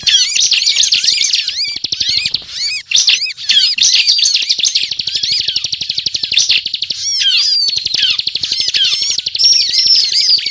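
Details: Gacor ngebren song of a ciblek, played as a trapping lure: continuous high twittering packed with quick up-and-down whistled notes and harsh chips, barely pausing, slightly thinner around the third second.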